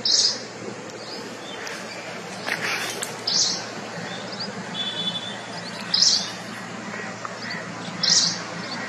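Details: Forest wagtail in Nalsarovar bird sanctuary, Gujarat: brief, high, clipped call notes repeated every two to three seconds, with scattered other faint bird sounds and soft background noise.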